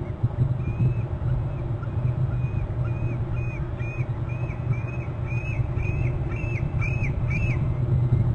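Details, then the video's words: An eagle on Hornby Island, at its nest territory, calls from a perch before flying off: about a dozen thin, high, piping notes that quicken and rise slightly, over a steady low rumble of wind or traffic. "eagle is calling"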